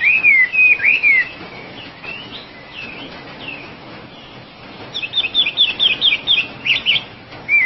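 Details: Wambi, the Oriental magpie-robin, gives a few rich whistled slurs, pauses with faint notes, then bursts into a fast string of sharp, bright chirping whistles, finishing with another clear whistle.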